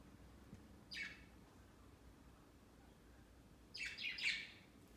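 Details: Pet budgerigars on Christmas Day, climbing onto a large Christmas tree set beside their cage during their first Christmas; one short harsh chirp, then a quick burst of two or three scratchy downward chirps, over quiet room hiss.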